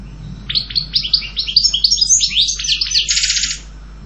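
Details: European goldfinch singing: a rapid, tinkling run of high twittering notes and liquid trills, about three seconds long, ending in a buzzy rattling phrase; faint low hum underneath.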